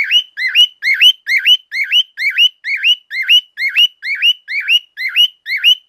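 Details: Pet male cockatiel giving loud, insistent calls: rapid repeated whistles that dip and then rise sharply, about two per second, steady and even, with rich harmonics and no other sounds.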